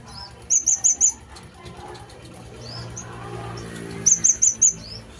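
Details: Sunbird in lively full song: two bursts of four sharp, high whistled notes, one near the start and one near the end, with soft chirps between them over a low background hum.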